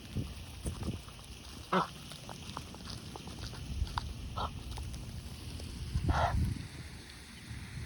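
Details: Egyptian geese, a resident pair on a lake with their new gosling; three short, nasal, harmonic honks spaced a few seconds apart, over steady low wind rumble and faint background noise.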